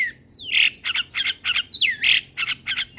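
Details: Morning song of a Javan pied starling for young starlings to imitate: two loud descending whistles, each running into a harsh rasping squawk, followed by quick grating notes repeated in a steady pulse.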